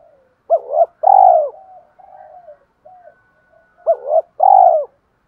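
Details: Spotted dove cooing in 'giọng thổ' style as a lure to prompt rival cooing: a loud two-part coo, a hooked note then a long arched one, quiet murmured notes, then the phrase repeated.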